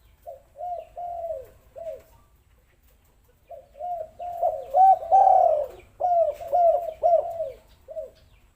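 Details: Spotted dove used as a lure for reluctant birds: quiet hooting coos, a pause of silence, then a louder run of mellow notes. A long central coo is followed by several short dipping ones and a final soft note.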